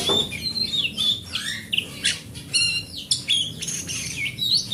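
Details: Home-kept, large-bodied oriental magpie-robin of forest origin singing to spur other magpie-robins into song: rich mix of whistled descending slurs, rapid trills and harsh buzzy notes delivered in quick succession.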